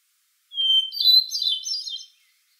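A hermit thrush sings one phrase: a long, pure opening whistle, then a quick, flutey swirl of higher ringing notes, over a quiet background.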